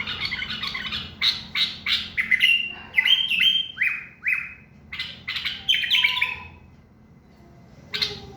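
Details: Common bulbul in song. A run of loud, clear whistled notes, several sliding downward, in rapid succession, then a pause and one final note.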